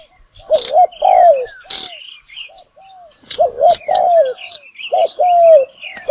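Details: Spotted dove calling as a trapping lure: two bursts of low, husky coos, each phrase a pair of short notes then a longer drawn-out one. High, sliding whistles and brief hissy bursts are heard between the phrases.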